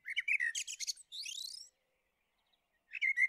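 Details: Common blackbird (Turdus merula) with a quick run of fluted notes and high twitters, then a sweeping, rising squeaky note, a brief silence, and the opening of a new phrase.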